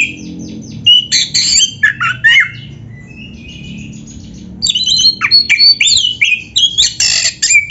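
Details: Oriental magpie-robin in varied song: dense scratchy and whistled phrases, a quieter stretch of thin high notes, then a fresh run of loud chattering and sliding whistles.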